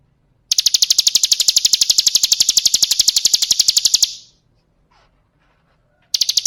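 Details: Female bar-winged prinia (ciblek gunung) calling males, played as a lure to make other birds call: a long rapid trill of high, sharp ticking notes about four per second for three and a half seconds, then silence and a second trill starting.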